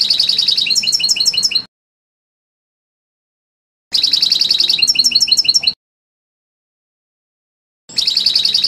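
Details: European goldfinch in trnan song style: three identical short phrases of buzzy trilled notes followed by quick ticking twitters, each lasting under two seconds and separated by silent gaps of about two seconds.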